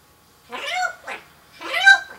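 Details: Loud, rich harmonic calls from a pet female African grey parrot that imitates household sounds, beatboxing and pop songs: a drawn-out wavering note, a short second syllable, then another longer wavering cry, on a silent background.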